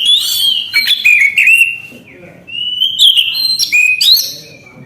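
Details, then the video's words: Lively, unbroken song from an Orange-headed thrush: loud descending whistles and chattering notes, a brief soft pause, then long clear whistled phrases rising and falling. "Anis kembang gacor anti macet bunyi"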